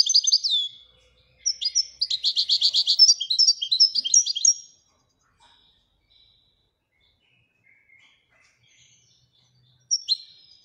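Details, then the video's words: European goldfinch sings a short phrase, then a long rapid series of liquid chirps lasting about three seconds, followed by quiet and a final brief twitter. "Le twitter et chardonneret royalتغريد طائر الحسون الملكي"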